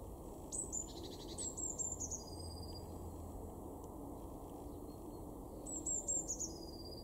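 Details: Eurasian blue tit (Cyanistes caeruleus) calling in a garden in Weener, East Frisia, northwest Germany, February 2023: very high, thin, slightly falling notes in two short bursts, the first and last ending in a lower buzzy trill, over low rumble.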